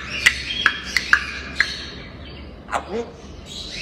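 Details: Playful pet grey parrot making five crisp, popping clicks followed by a short gravelly squawk and a faint rising whistle.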